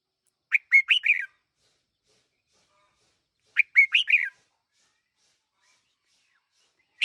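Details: One-year-old decoy red-whiskered bulbul repeating a bright, jaunty phrase of four to five clipped chirps roughly every three seconds, with a final note starting at the end; no other sounds.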